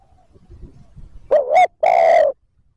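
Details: Spotted dove giving a rapid 'thúc gù' coo used to lure wild doves: a short wavering two-part note, then one long, loud, low hooting coo. Faint low rumbling comes before it.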